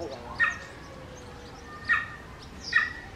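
A common raven gives three short, hoarse, speech-like utterances about a second apart, imitating the word "hola"; the background is quiet.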